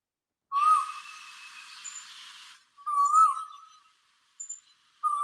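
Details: A male Asian koel gives its courtship call to attract a female, heard mornings and throughout the day and only by males: loud, rising whistled notes, repeated at a steady pace, partly under a broad hiss.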